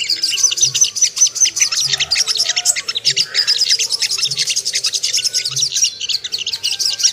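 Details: Lure song of the Ruby-cheeked sunbird (sogon), used to excite birds and make them aggressive: a continuous stream of sharp, very high twittering notes, fast and irregular, with a faint thin sustained whistle over the chatter.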